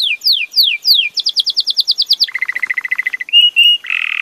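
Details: Belgian canary song running through quick-changing trills: sweeping down-slurred notes, a fast high rattle, a lower rolling trill, then short steady whistled tones and a buzzy trill.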